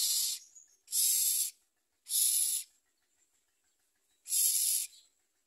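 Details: Nestling common mynas beside their mother at the nest, taking little food and snapping at her: four loud, hoarse, hiss-like rasps roughly every second, each about half a second long.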